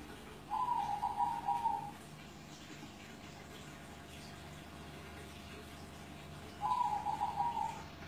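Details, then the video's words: Caged zebra dove in Kudus, more than seven years old, repeating its coo: two stuttering phrases of rapid bubbling notes, each roughly a second and a half, separated by about five seconds of low background hum. "SUARA PERKUTUT GULING MURIO"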